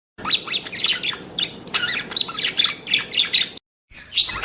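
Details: Budgerigar chatter, played to stimulate budgies: rapid chirps and squawky notes, fairly steady for over three seconds, a short silence, then one brighter squawk near the end.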